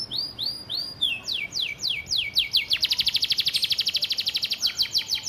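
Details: Canary master vocal for training, with gereja-style fill-in: slurred downward whistles, then a rapid, rattling trill of bright high notes lasting nearly two seconds, then more falling sweeps.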